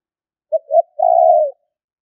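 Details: Single spotted dove phrase used as a lure: a brief coo, a swelling second note, then a sustained low hoot that drops at the end; otherwise silent.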